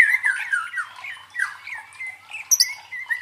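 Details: White-rumped shama song used to train fighting birds: downslurred whistled notes and harsher squawky phrases, with a high sharp burst near the end.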